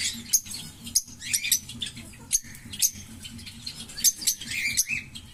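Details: Green Fischer's lovebird pair chirping: sharp squeaky chirps and thin high notes repeated roughly every half second, with brief scratchy bursts between them and a soft low hum.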